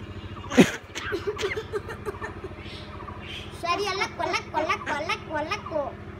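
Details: A talking common myna imitates human speech such as "bye-bye" in short, wavering, voice-like phrases, trading words with a person over a steady low hum.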